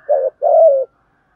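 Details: Decoy spotted dove singing in the 'thổ đồng' voice style, used to lure and train other doves; a brief fragment of two low coos, the second longer and burry, with no other sounds.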